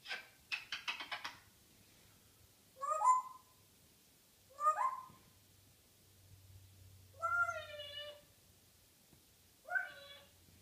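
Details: Morning chatter from a pet African grey parrot: a rapid rattle of clicks, then four loud meow-like wavering harmonic calls roughly every two seconds, some bending upward, in a quiet room.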